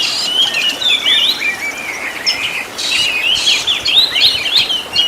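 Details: Oriental magpie-robin song from a master recording for training caged birds, a full set of elaborate song phrases: a loud, continuous stream of varied whistles, quick slurred rising and falling notes and twittering trills, with a steady background hiss.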